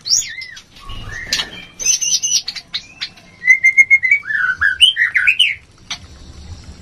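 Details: White-rumped shama mating sound for raising breeding urge. Looping high whistles, a short buzzy trill, then a pulsing steady run of notes and twisting slurred phrases before it fades.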